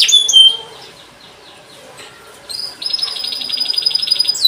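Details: Canary song used to prompt young canaries to sing: a few high whistled notes, a quiet pause, then a long fast high-pitched trill with a thin sustained whistle above it.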